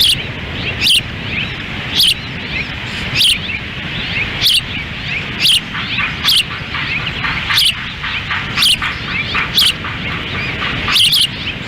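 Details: Ospreys at a nest at Dunrovin Ranch in Lolo, Montana, on June 10, 2017, during a windy feeding: the female feeds while the male stands by. Sharp, high chirps repeat about once a second over steady rushing wind.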